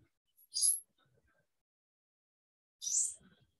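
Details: Brown-headed Cowbird song, spanning super-low to super-high notes beyond most human hearing in a short time: two brief, very high, thin squeaky bursts about two seconds apart, with near silence between them.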